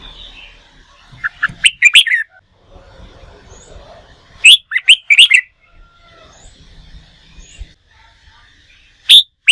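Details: Red-whiskered bulbul, newly caught from the wild, in contest-song training: three loud bursts of quick, clipped whistled notes, each of about four to six notes, over faint low background rumble.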